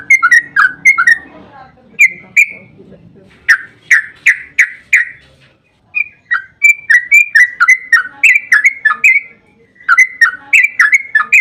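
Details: Yellow-vented bulbul in energetic song used as bait so other bulbuls sing back. Choppy bubbly notes lead into four strong, evenly spaced whistles, then a long stream of slurred, rising and falling notes.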